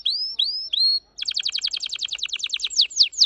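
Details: Red factor canary song: three rising, curving whistles, a brief pause, then a rapid rattling trill that breaks into a few sharp downward-slurred notes.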